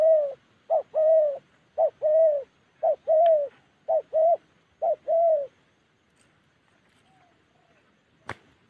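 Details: Spotted dove calling in the wild Central Highlands of Gia Lai, Vietnam: a quick run of two-part coos, short then long, repeated about once a second, then quiet with a faint distant coo and a sharp click.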